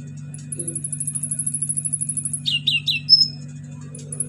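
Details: Orange-headed thrush singing vigorously with mimicked fill-ins, used to get silent birds singing: a long rapid thin trill at very high pitch, then three loud slurred phrases and one pure whistle, over a steady hum.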